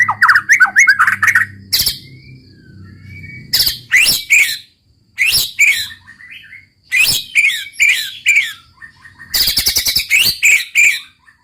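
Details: Song of a White-rumped shama kept in a cage, opening with a rapid warbled run, then loud separate bursts of whistles and harsh rattling notes roughly every one to two seconds, with clear silences between them.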